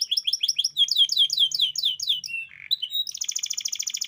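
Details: Canary song played to coax young and reluctant canaries into singing. Rapid repeated whistled syllables, a short harsh rasp, then a long rolling buzzy trill in a clear, loud, close recording.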